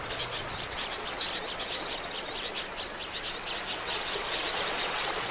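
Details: Oriental white-eye lure call for bird trapping, with three sharp, high down-slurred whistles roughly every one and a half seconds, separated by buzzy rapid high chatter over a hissy background.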